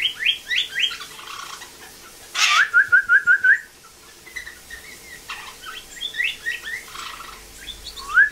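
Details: Blue jay in rehabilitation giving its learned northern cardinal song: a few downslurred notes, then a crisp run of six rising whistles, followed by softer scattered chirps and another rising whistle at the end.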